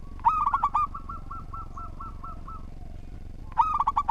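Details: Actively singing local zebra dove gives a fast burst of bright staccato coos, then a long, even run of about nine softer coos, before another loud quick burst at the end.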